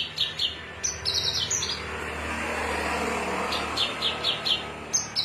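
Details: Cing ciu song from a Cilacap Javan bush lark: clipped high doubled chirps and buzzy notes in bursts, a stretch of broad rushing noise midway, then a run of five quick chips.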